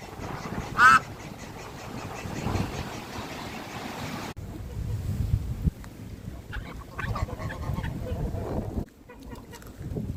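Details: Domestic duck (Anas platyrhynchos domesticus) gives a single loud, nasal quack early, followed by fainter calls over a steady low rumble of background noise.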